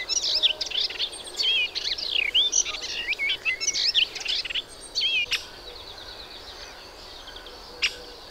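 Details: Melodious warbler singing a long rapid phrase of tangled twittering and whistled notes lasting about five seconds, then a brief pause with isolated clicks and a short final note.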